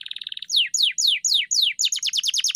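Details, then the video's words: Canary song used to train a pet bird: a short rapid trill, then several long slurred descending whistles, followed by quick repeated falling chips. "Masteran Burung Kenari _ CANARY SINGING"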